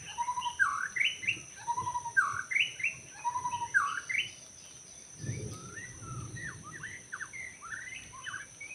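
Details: Wild white-rumped shama singing in forest during bird trapping: rich varied whistled phrases, rising and falling slurs between mid and high pitch, short bursts with brief pauses; faint low rumble in background.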